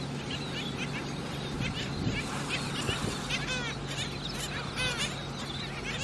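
Black Skimmers give nasal, barking yelps, several birds overlapping in quick bursts, over a steady low hum and background chatter.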